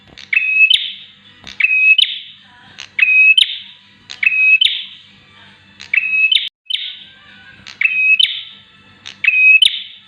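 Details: Bar-winged prinia (Javan prenjak) giving loud, high, sharp trilled phrases, each starting with a clicky burst and ending in a steady whistled note, about every one and a half seconds; a master or lure recording for captive prinias.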